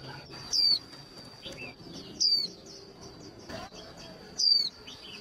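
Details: Hen white-eye call used to stir males to trill quickly before contests. Three piercing, high, descending chirps come about two seconds apart, with a few quiet twitters and a constant high-pitched whine underneath.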